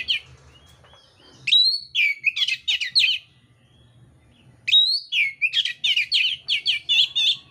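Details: Oriental magpie-robin (kacer mintal) singing in fighting mode with coarse filler: two loud outbursts, each opening with a sharp rising whistle and running into rapid rattling harsh notes, separated by a quiet spell with a soft hum.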